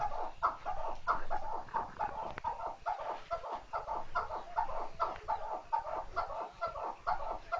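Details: Continuous clucking chuk notes from a chukar partridge, pulsing at a brisk, fairly even pace for the whole stretch.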